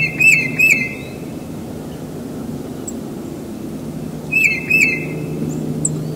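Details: A tufted titmouse, one of those heard singing every spring at a house, sings clear, whistled two-note phrases twice, about four seconds apart, over a low background rumble.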